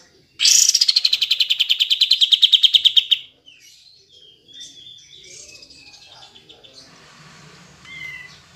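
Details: Kapas tembak bulbul song meant to coax lazy birds to sing: a burst of about twenty-five quick, strong pulsed notes over three seconds, sliding down, followed by soft scattered warbling and thin whistles.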